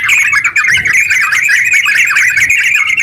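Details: Yellow-vented bulbul (terucuk) in lively, long ngeropel-style song, used as a lure to spur other bulbuls into singing: a dense, continuous run of quick chirpy notes wavering in a high band, with faint low rumble beneath.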